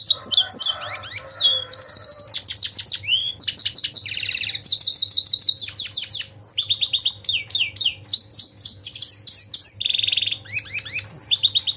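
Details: Long, lively European goldfinch song: rapid tinkling twitters, nasal buzzes and short trilled bursts strung together almost nonstop for about twelve seconds, a constant low hum in the background.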